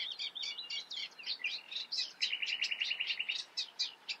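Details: Song of a Eurasian reed warbler in the Eifel: scratchy chattering notes giving way to a fast, even rattle of identical ticks, then more clipped, repeated phrases.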